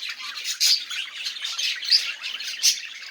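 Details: Budgerigar sounds meant to prompt quiet budgies into singing: continuous scratchy high chatter punctuated by three louder sharp squawks spaced roughly a second apart.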